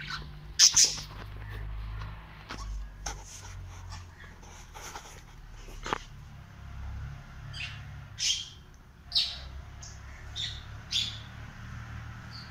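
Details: Pet cockatiel roaming through a house, uttering scattered high, brief chirps that come more often toward the end, among tapping and clicking noises from its movement.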